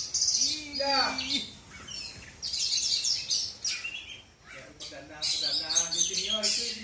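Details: Oriental magpie-robin, a black-and-white kacer from South Aceh, Indonesia, singing: high, rapid whistled and chattering phrases in bursts, with human voices talking underneath at the start and end.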